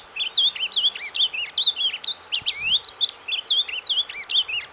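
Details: Ultramarine grosbeak (Cyanoloxia brissonii) gives a soft, rambling subsong, used to stimulate other birds: a continuous stream of quick, varied high twitters and slurred whistles, with no other sounds.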